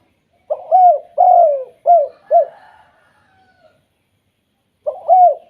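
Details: Pet spotted dove with a "kuk 2" voice, used to make other doves call: a quick run of four rounded, slightly falling coos, a pause of about two seconds, then one more coo. The setting is otherwise quiet.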